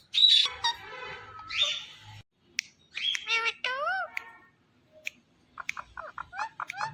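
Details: Indian ringneck parakeet, a talking and dancing green pet, mixes harsh shrill squawks with speech-like harmonic phrases and swooping whistled notes, ending in a rapid run of short clicky syllables.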